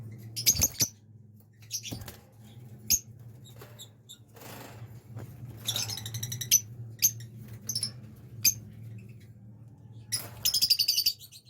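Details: Breeding pair of blue lovebirds giving scattered shrill, buzzy chirps in short bursts separated by pauses, against a low indoor hum and soft rustling.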